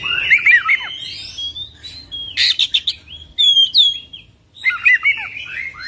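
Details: Oriental magpie-robin in full varied song: bursts of sweet whistled notes, slurred up and down between mid and high pitch, separated by short pauses, with scratchy chips between phrases.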